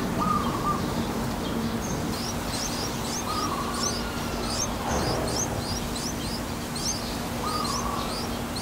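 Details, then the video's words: Four-day-old yellow-vented bulbul nestlings in a nest in Thailand being fed: rapid high thin upslurred chirps repeated in bursts, with brief lower warbled phrases and a steady low hum underneath. "นกปรอดหน้านวล เลี้ยงลูก อายุ4วัน _4 day old new born of baby birds in a nest of yellow-vented bulbul"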